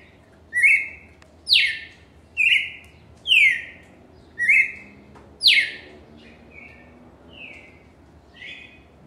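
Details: Cardinal in full song, repeating loud whistled phrases almost every second, mixing level notes with steep downward slurs, the last few phrases softer.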